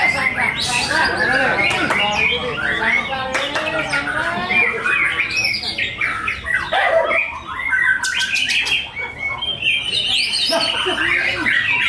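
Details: White-rumped shama singing in a songbird contest, judged off its top form, its breeding urge running higher than its fighting spirit. The song is dense and loud, with rich varied whistles, rapid trills and harsh chatters, and other birds and voices sound behind it.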